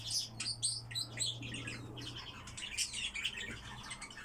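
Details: Caged Eurasian blackcap in a rapid, jumbled warbling song of bright chirps, sweeping whistles and chattering runs, delivered in close succession, over a steady low electrical hum.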